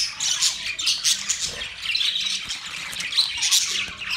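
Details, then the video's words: A flock of budgerigars, Australian parrots, produces a continuous scratchy twitter of high chirps and squawks, the chatter rising and falling gently with faint low background sounds. "Beautiful Australian parrot Budgies chirping sound Parrot sounds"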